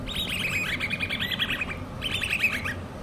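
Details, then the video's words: Hand-reared common babbler chicks calling in two bursts of rapid, harmonic, arched chirps. The notes run together into a churring chatter, with a short pause between bursts and a low, steady hum underneath. "COMMON BABBLERS( hand reared chicks )"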